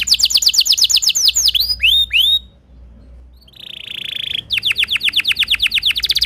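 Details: A canary, described as a Timbrado and also tagged Belgian (canario belga), sings fast, high tours: rapid chopped trills, paired slurred downward whistles, a short buzzy rolled trill, then another quick run of repeated notes. Belgian canary.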